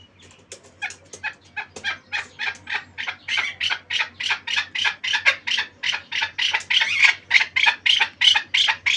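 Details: Chukar partridge from the Pamirs giving a long accelerating series of harsh chuk notes, starting soft and spaced, then louder, rasping and rapid, about three per second, with a faint low hum behind.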